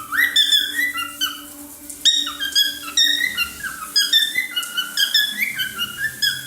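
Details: A pet cockatiel sings a rapid run of bright whistled notes, sliding up and down in quick phrases.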